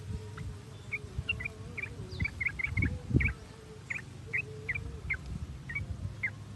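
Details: Sooty-headed bulbul (trucuk) lure sound for prompting song: short, clipped chirps spaced roughly every half second, with a low droning hum and a brief louder thump midway.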